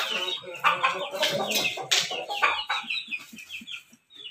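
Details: In the morning, a rooster that is a Pelung–Bangkok–laughing chicken cross gives a choppy, rapid crow of harsh, stuttering syllables amid clucking from other chickens.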